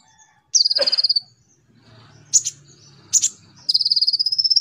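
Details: Konin (brown-throated sunbird) used as a lure to train a young olive-backed sunbird: a fast even buzzy trill, a few sharp double chips, then another steady slightly rising trill.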